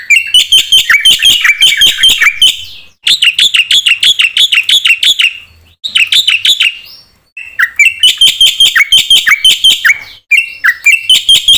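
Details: Black-winged myna in full, varied song used to goad other mynas into singing: fast runs of loud, buzzy, rattling notes in bursts of two to three seconds separated by brief silences.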